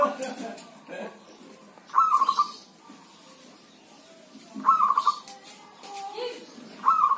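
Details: Healthy zebra dove kept by an owner, cooing in rain or drizzle: three bursts of rapid rolling coos, each starting with a rising note, spaced two to three seconds apart, with soft clicks and hiss.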